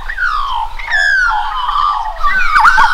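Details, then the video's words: Australian magpie song of rich fluted whistles that slide down and rise again, ending in a quick gurgling warble, with an Australian butcherbird singing alongside at close range; the two share territories. "Magpie sings with Butcherbird"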